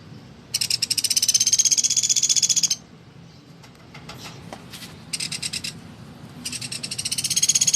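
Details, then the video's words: Woodpecker used as a teaching model for songbirds such as white-rumped shama and oriental magpie-robin: a long two-second rattle of piercing notes, faint clicks, then two more rapid bursts of the same high, rattling call. "suara burung pelatuk gacor"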